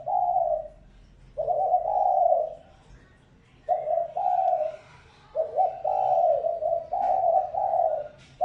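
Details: Spotted dove decoy coos: long, soft, rounded notes in separated phrases, some phrases of three linked coos, with a faint low hum behind.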